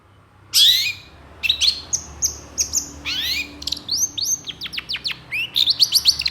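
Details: Long-tailed shrike singing in a lively, agitated mood, reacting to another kind of shrike and full of harsh bursts: sharp descending whistles and high rising slurs in quick, irregular series, with a faint low hum underneath.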